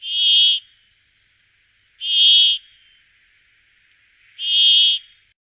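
A brambling gives three drawn-out, wheezy buzzing notes, each about half a second long and spaced roughly two seconds apart, against a quiet background.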